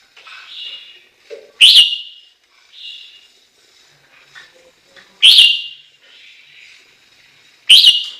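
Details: Chinese hwamei giving loud, sharp rising whistles that start with a click, repeated three times roughly every three seconds, with softer quiet whistles in the gaps.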